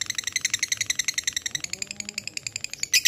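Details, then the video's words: Lovebird delivering ngekek chatter, claimed to easily draw rival birds into calling: quick, grating notes repeat steadily, ending in a louder shrill burst. "LOVEBIRD NGEKEK PANJANG GACOR SANGAT MUDAH BKIN LWN BUNYI"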